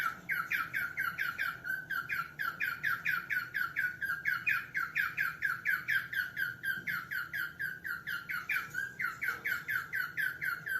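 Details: Cockatiel calling steadily indoors, a nonstop series of harsh, ringing squawks, about two per second, each rising then dropping. The call stays evenly paced throughout.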